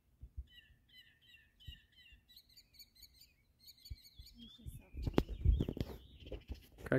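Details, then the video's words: Local mockingbird copying assorted noises: short whistled phrases repeated several times, then a quick ringing series, before loud handling noise and a person's voice take over toward the end. "The many voices of our local mockingbird"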